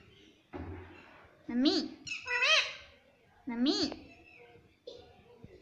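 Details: Pet parrot talking, imitating "mummy papa": several short, nasal, speech-like syllables with rising and falling pitch, separated by pauses.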